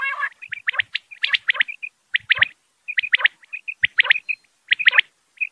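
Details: Quail giving male and female calls: crisp, high, sharp notes grouped in rapid bursts of three to five, the bursts repeating roughly every second with short pauses between.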